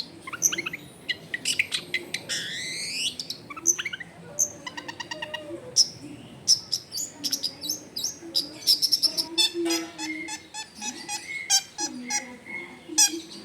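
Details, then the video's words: Vigorous long-tailed shrike singing a richly varied song at a house in a crowded residential area: rapid upward-sweeping whistles, buzzy trills, sharp chips and rattling runs following one another without pause, with low murmuring background noise. "CENDET GACOR FULL ISIAN MEWAH COCOK BUAT MASTERAN CENDET MACET BUNYI AUTO MENJERIT"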